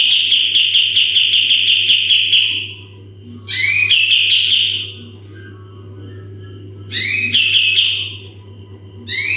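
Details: Sooty-headed bulbul song used as a model for training other birds: long bursts of rapid, high trilled whistles that hold a steady pitch, each starting with a sharp rising note, separated by pauses, over a steady low hum.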